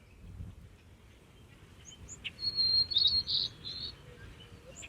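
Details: A White-crowned Sparrow on a farm during spring planting in May, identified with the Merlin app, gives a high, clear whistle followed by a short buzzy trill lasting about a second and a half, over a faint low rumble.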